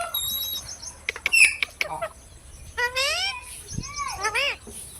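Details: Parrot uttering bright, high harmonic calls, some rising and some arching, interspersed with sharp clicks and a faint steady high tone in the background.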